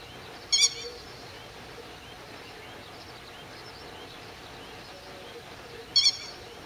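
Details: Territorial grey-headed lapwing mobbing a grey heron and ducks with low-level attacks, recorded at 08:20 on 31 May 2011; two short, strident, rasping cries with doubled pulses, roughly five seconds apart, over soft outdoor hiss.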